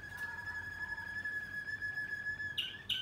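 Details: Young Waterslager canaries from 2020 singing. A steady, pure whistled tone is held for about two and a half seconds, followed by two short, higher chirps, over a soft background hiss.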